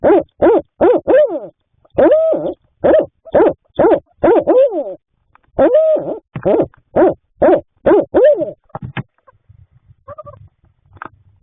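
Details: Barred owls nesting in a nest box at night, March 2026, as the male brings food to the female sitting on three eggs; rapid series of loud, nasal, barking hoots with bent, wavering notes, trailing off into faint calls.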